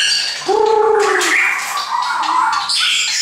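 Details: Several caged shamas brought by a friend sing together: a low, rich, slightly gargled whistle opens, followed by higher warbled phrases and rapid chattering notes layered over one another.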